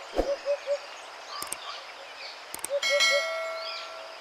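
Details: A Sri Lankan junglefowl on safari at Wilpattu, Sri Lanka, gives a quick three-note phrase of low, hollow notes, then repeats it about two seconds later; sharp metallic clanks and a ringing tone are also heard.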